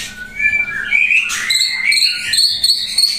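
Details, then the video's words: White-rumped shama from Pasaman, Indonesia, used as a vocal tutor for other shamas. It sings a quick run of clear, varied whistles that slide up and down and build into bright, higher phrases. "MURAI BATU GACOR MATERI MEWAH JADI GURU VOKAL HANDAL"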